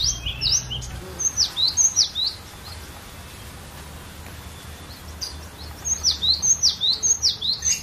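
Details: Collection cinereous tit singing a varied lure song for training other birds; two bouts of quick high swooping whistles, each bout several notes in rapid rhythm, split by a quiet gap with low hum.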